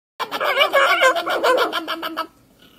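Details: A pet macaw, addressed as a good boy, gives its morning rawr: one loud, harsh, gravelly call lasting about two seconds, rough and wavering, then cutting off into a quiet room.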